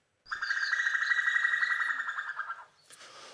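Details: A female common cuckoo gives a fast bubbling trill, about two seconds of rapid, even notes resembling a sparrowhawk's call, which scares small songbirds from their nests so she can lay; a brief scuff of noise follows.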